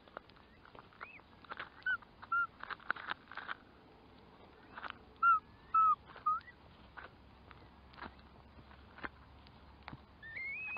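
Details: Curlew with short looping whistled notes in a scattered series, several rapid clicks and knocks between them, ending in a rising whistle.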